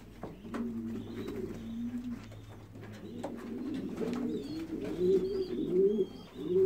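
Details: Pouter pigeon cooing: low, throaty, rolling coos repeated in a loose rhythm, with a steady low hum and a few faint higher chirps in the background.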